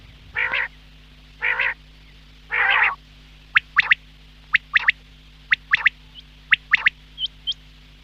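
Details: Quail calling, described as a morning sound: three harsh, broad rasping bursts, then a run of short, sharp notes roughly once a second. A steady low electrical hum sits underneath.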